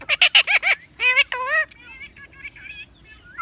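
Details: A 10-year-old male Indian ringneck (rose-ringed) parakeet talks in Hindi, saying things like "Mian mithu": a burst of about five quick, high, nasal syllables, then two drawn-out words, then softer chatter trailing off.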